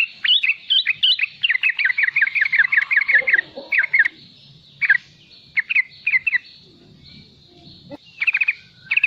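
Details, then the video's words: Young sooty-headed bulbul 'riwikan' chatter, used as a lure for young and wild-caught bulbuls; a fast string of clipped repeated notes for four seconds, then scattered short bursts separated by silences, with faint low rumble. "Riwikan trucukan muda gacor untuk pancingan bunyi trucukan bakalan dan anakan"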